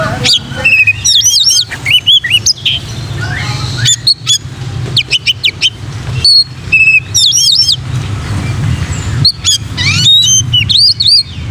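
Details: Energetic oriental magpie-robin song for training other magpie-robins: rapid bursts of varied whistles, rising and falling slurred notes and sharp chips, repeated in clusters through the whole stretch, with a low background hum.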